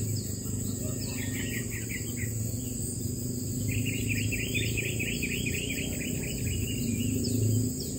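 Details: Parent long-tailed shrike on watch for predators near its nest: two bursts of rapid, short, down-slurred chattering notes, the second burst longer, over a steady high insect drone and a low hum.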